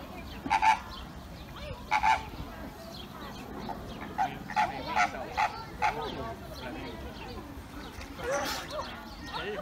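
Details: Flamingo flock at Auckland Zoo giving short goose-like honks, first two well apart, then a quicker run of five brief honks, ending in a harsher rasping call, over continuous low crowd and ambient noise.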